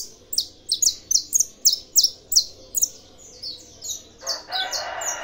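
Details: Saffron finch kept at a breeding aviary delivers a rapid series of bright, high chirps, about eight evenly spaced notes, followed by a broad noisy rustle near the end.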